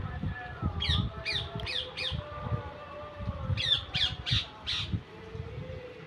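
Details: Parrot giving harsh, raspy squawks in two quick bursts of four, each note sliding down sharply and spaced about half a second apart, over a low rumbling background with soft thumps.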